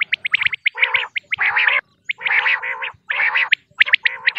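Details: Female common quail sounds: short sharp high notes alternating with longer, coarse, buzzy rasping bursts, the harsh bursts recurring roughly every second.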